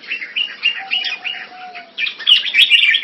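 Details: Caged red-whiskered bulbul (jambul) giving quick repeated warbled notes about three per second, then a louder brighter burst of chirps near the end over a faint steady hum.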